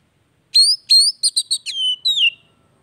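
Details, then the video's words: Oriental magpie-robin (kacer) song played to stimulate a silent bird into singing again; a short phrase of two rising whistles, a quick stutter of clipped notes, then two drawn-out descending whistles. "TERAPI HARIAN BURUNG KACER MACET"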